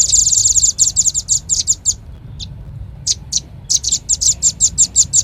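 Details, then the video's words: Lure call of the velvet-fronted nuthatch, locally rambatan paruh merah: a rapid volley of piercing high chips, a pause of about a second with one lone note, then fresh bursts of evenly spaced chips resume. "Suara pikat burung rambatan paling ampuh | rambatan paruh merah"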